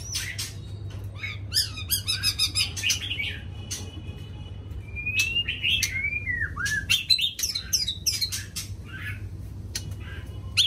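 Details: White-rumped shama in full morning song: rapid repeated rich notes, then long gliding whistles and looping phrases, with clicking ticks mixed in throughout.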